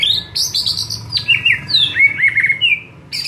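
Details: White-rumped shama (murai) song from a training recording meant to provoke other murai into a fighting response: a varied run of bright whistled and slurred notes, some dropping, others flat, with a faint low hum beneath.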